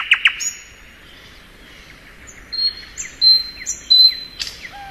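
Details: Thrush nightingale in spring, opening with two harsh rasps, then a pause and a string of high, pure level whistles, some drawn out, closing with a low descending note.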